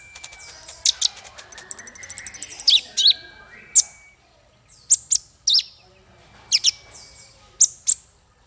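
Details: Small songbird used as masteran tutor song for training young fighter birds: sharp high chips, a fast rattling trill of evenly spaced notes, and thin steady whistles, delivered in bursts with short silent gaps.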